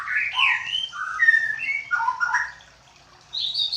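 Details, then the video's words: Young white-rumped shama in Medan sings varied, fluty whistled phrases, some rising and some falling, in a quick stream, then a short pause and a higher, sweeter burst of notes. "burung murai batu anakan medan"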